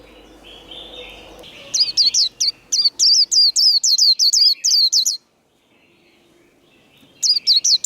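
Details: White-eye in a singing contest, 'líu' style meant to rile rival birds: low background hum, then a fast series of high, hooked whistles, a brief silence, and a fresh burst at the end.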